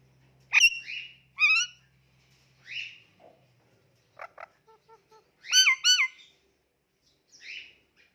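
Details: Pet Indian ringneck parakeet, a talking parrot, making cute noises and calls: sharp clear whistled notes with hooked pitch bends, a few short clicks in a row, and loud paired rising-falling whistles, separated by silences; steady low hum early on.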